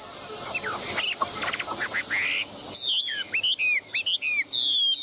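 Chinese hwamei singing loud, varied whistled phrases, short rising and falling notes delivered in quick bursts, high and ringing; a background hiss runs throughout.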